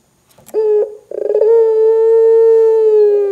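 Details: Barbary dove giving a loud, active gacor call meant to prompt other doves to start calling: a short opening note, then a stuttering roll that flows into a long, steady, low coo that slowly sinks in pitch.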